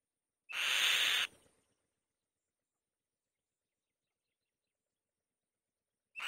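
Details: Loud noise from a female white-tailed kite on her nest: a single harsh, hissing scream lasting under a second, starting with a brief rising whistle, then long silence before another scream begins.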